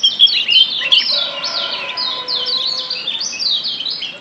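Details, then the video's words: Lombok yellow white-eye from the wild used as a lure for active singing: sharp high chirps opening into a steady stream of descending slurred notes, faint low tones underneath. "Ciak Joss Kecial Kuning ALAM LIAR‼️PERANGSANG Ampuh Bikin Kecial AKTIF BUNYI‼️"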